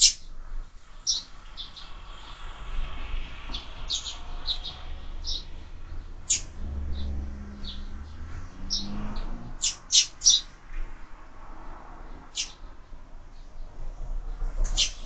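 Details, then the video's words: Sparrows eating from feeders mounted on a window, uttering many scattered short high chirps at uneven intervals, with a low hum and soft thuds underneath. "Воробьи в кормушке"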